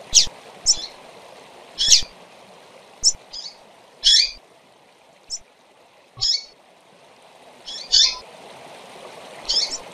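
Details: Short, bright, high chirps from a double-collared seedeater come in irregular bursts, roughly every second or two, over a steady rushing background like running water. The recording is used to train other seedeaters.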